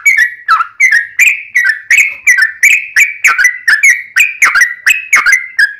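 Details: Sooty-headed bulbul singing as a lure to make other bulbuls answer; evenly spaced, liquid whistled notes with sharp clicky onsets, slightly falling in pitch, continuing without break.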